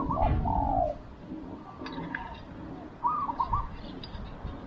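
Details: Spotted dove used as a decoy for wild doves: one drawn-out falling coo early on, then a short stuttered phrase later, against a low rumbling background with faint clicks.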